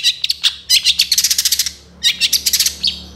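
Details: Energetic long-tailed shrike (cendet) song full of fill-ins and rapid bursts, meant for training songbirds; two rapid chattering runs of bright notes separated by a brief gap.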